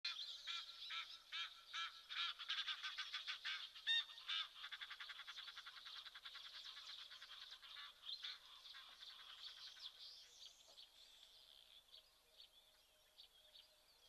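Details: Crested guineafowl at a waterhole in Tembe Elephant Park, KwaZulu-Natal, South Africa, giving harsh, rapid cackling calls that chatter on and then fade away.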